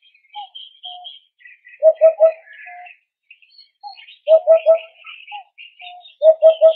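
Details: Repeated hoopoe triplets, deep soft 'oop-oop-oop' phrases sounding three times, interleaved with busy high chirping from other birds; this call reportedly serves communication in groups, rivalry over food in gardens or forest, and warning of danger.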